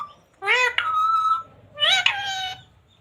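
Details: Talking parrot saying "radhe radhe": two drawn-out, strained, high-pitched mimicked syllable groups, each rising then holding steady, separated by a short silence in a small indoor space.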